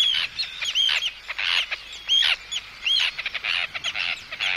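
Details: Agitated Arctic tern threatening an intruder at close range: loud, grating downward-bending screeches alternating with clipped chattering notes in quick succession.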